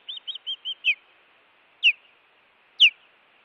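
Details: Osprey on a Montana nest cam, 16 June 2017, with an intruder at the nest: five quick piping chirps, then two separate loud, down-slurred whistled yelps about a second apart.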